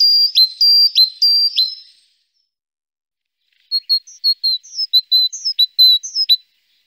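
Great tit singing: a bright, high two-note phrase repeated about twice a second, then a pause and a run of quicker, varied sharp notes.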